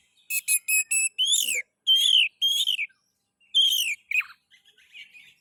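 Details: Oriental magpie-robin (kacer) song used as a lure to stimulate other magpie-robins to sing: a run of short repeated high chips, then loud slurred whistles falling in pitch, separated by brief pauses.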